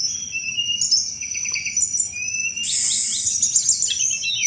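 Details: Sunda robin in lively chattering cetrekan song, used as a thrush lure: thin high whistles and a short stuttered run, then a loud dense rattling trill in the second half, steady shrill hum behind.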